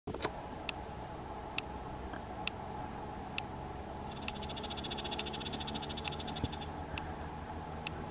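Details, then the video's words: A rare Streak-backed Oriole at the top of a willow in Montana de Oro State Park, California, November 21, 2020, after foraging low in a thicket, gives sharp, spaced tick notes, then a rapid dry two-second chatter, over a low mechanical hum. "Streak-backed Oriole chattering"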